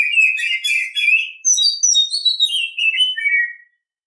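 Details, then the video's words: Oriental Magpie-Robin singing in the morning; a rapid, rich warbling run gives way to clear whistled phrases that slur downward over about three and a half seconds, with no other sounds. "Nghe chim chích chòe than hót hay mỗi sáng"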